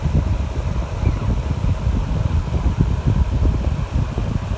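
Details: Steady low rumbling wind or engine-like noise fills the recording, with no animal sound heard.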